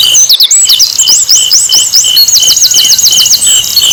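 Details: Song of an Asian brown flycatcher, played to get other birds singing. Fast chains of looping, high whistled notes follow one another evenly, backed by a regular pulsing buzz.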